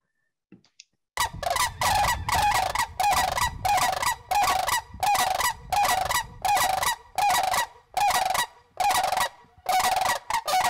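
Sandhill cranes trade loud, rolling, trumpeting rattles in rapid bursts, roughly one and a half per second, with no other sounds.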